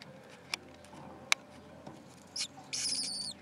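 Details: Four lesser kestrel chicks about six days old, in a nest on a school roof beside an unhatched egg, give thin, high, wheezy begging notes: a short one and then a longer rasping burst, after two sharp clicks in a quiet background.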